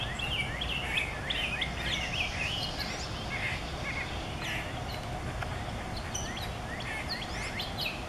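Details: A male Rose-breasted Grosbeak (Pheucticus ludovicianus) sings in a backyard on 5/4/17: sweet, rich warbled phrases, robin-like but softer, over a steady low rumble of background noise.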